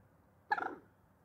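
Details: One short, rough, stuttering croak from a common moorhen, quieter than the surrounding calls, over soft background noise.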